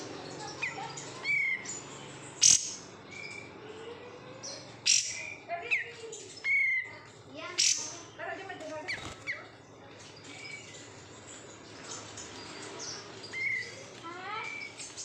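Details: Captive oriental white-eye (kapas tembak) reared from bulk-caught stock gives a long, varied, chattering run of high chirps, sharp chips and short clear whistles in irregular bursts. Some lower sounds in the background.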